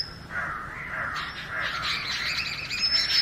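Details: Oriental magpie-robin in natural song: a warbling, wavering phrase in the middle register, then a quick run of rapid chattering notes ending in a high thin whistle.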